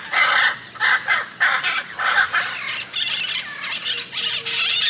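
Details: Hyacinth macaws giving loud, harsh, raspy squawks repeated in quick succession, each call short and grating, with outdoor background noise.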